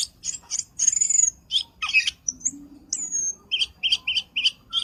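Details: Black-winged starling lure call used for trapping birds: a varied run of harsh squawks, buzzy chatter and clear whistled notes, ending in a series of evenly spaced short chirps.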